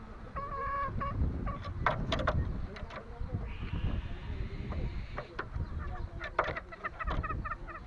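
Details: A green junglefowl from Lombok gives brief harsh, buzzy fowl calls over a steady low rumble, with a long thin whine in the middle and scattered clicks.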